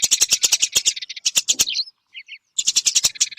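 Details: Tree sparrow recording meant as a training tape for songbirds: quick loud chirps in a run, thinning into scattered single notes and a pause, then another rapid burst.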